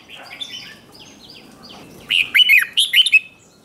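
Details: Red-whiskered bulbul in competitive song, stimulated for voice practice: soft, faint notes at first, then a loud, lively phrase of rapid, rolling, slurred whistles in the second half.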